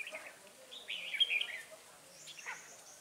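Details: Wild red-whiskered bulbul being lured with a decoy, 9 March 2020; one short, bright warbled phrase of slurred rising and falling notes midway, then a faint answering twitter, quiet background.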